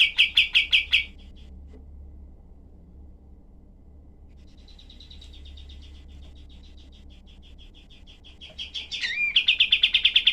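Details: Cream-vented bulbul in rough 'tembak' mode, its dense shooting bursts kept as tutor song for other birds. A loud rapid volley of high chips opens, softer fast notes follow after a pause, then a harsh burst and another loud volley.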